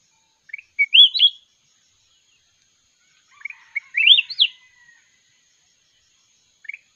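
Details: Mountain red-whiskered bulbul singing in a song duel: two short, sweet, warbled phrases that rise and fall, the second longer, with a brief chirp at the end and a faint steady high tone behind.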